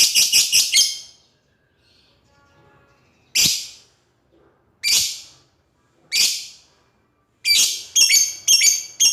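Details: Lovebird calling out to an opponent: a quick cluster of shrill chips, then single harsh screeches every second or so, ending in a rapid series of strident calls.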